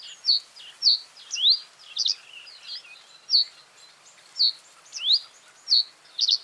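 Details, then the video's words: Common reed bunting repeating short bursts of high chirps, with sharply rising slurred notes and small double notes at irregular intervals under a second apart. Quiet chattering from other birds runs in the background. "Common reed bunting | Emberiza schoeniclus"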